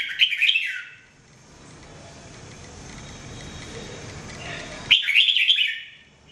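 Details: Jambul, the red-whiskered bulbul, singing as a training voice: a quick warbled phrase at the start and another lively burst of chirpy notes near the end, separated by soft hissy background.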